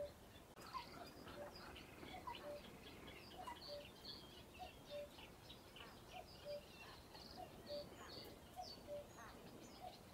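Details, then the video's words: Common cuckoo at RSPB Ham Wall Nature Reserve, Somerset, UK, calling cu-coo again and again, about eight falling two-note pairs in ten seconds, amid a chorus of chirping songbirds. "Cuckoo Call"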